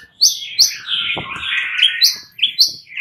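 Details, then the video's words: Fighter white-rumped shama, riled up while answering other males, gives sharp high notes repeated about every half second over a dense, rough chattering warble. "Hampir seluruh #muraibatu FIGHTER ikutan NYAUT GACOR dan jadi EMOSI"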